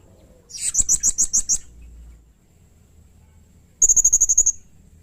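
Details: Blue-crowned hanging parrot, locally serindit, in lively song for training birds: two rapid strings of thin, very high tsee notes, roughly eight then ten, separated by a short silence, with faint low rumble.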